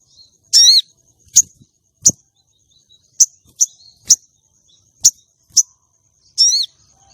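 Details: Female common iora calling to arouse a male for contests: stacked descending buzzy phrases opening and closing a run of sharp high chips, with a faint steady high tone throughout.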